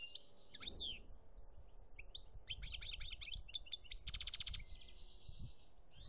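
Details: European goldfinch singing in Algeria, 2017: a rapid, varied twitter of sharp whistled notes and slurred upsweeps, a dense rattling trill midway, then a drawn-out buzzy note, over a low rumbling background.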